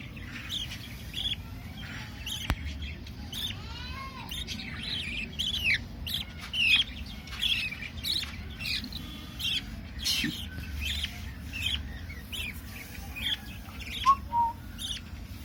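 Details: Baby budgerigars, 23 days after the first egg hatched, give a rapid stream of raspy, scratchy chirps and squawks over a low steady hum.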